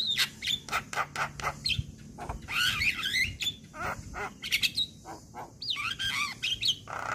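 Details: Song of a male Javan myna, used to coax silent or moulting mynas to start singing: rapid stream of clicking notes, harsh squawks and wavering whistles, loud and uneven throughout.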